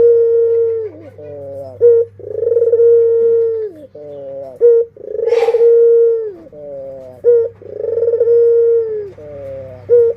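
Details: Dove adults and young (burung puter, kept as pets) cooing: long, steady, hollow mid-pitched coos broken by short rolling notes, repeating every couple of seconds over a faint low hum; identified as Barbary dove.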